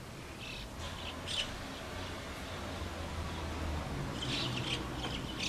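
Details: White-cheeked starlings busy with chick-rearing at their nest give short, high, scratchy chirps in two loose bursts, early and late, against a constant low rumble.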